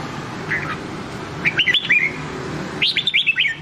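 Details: Nam Đông style red-whiskered bulbul song for training white-cheeked birds: a short lone note, then two quick bursts of clear, slurred whistles swooping up and down, over a faint low rumble.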